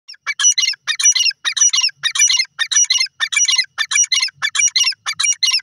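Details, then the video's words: Grey francolin, known as desi teetar, calling: a harsh, rhythmic phrase of grating notes repeated steadily about every half second, loud and clear against a quiet background. "desi teetar ki lovely awaz"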